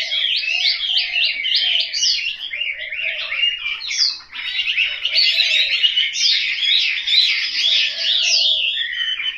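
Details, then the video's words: Domestic caged Chinese hwamei from Hanoi, Vietnam, pouring out a long, rich song of quick looping whistles and slurred phrases, with one brief pause midway and soft lower warbles in the background. "Họa mi"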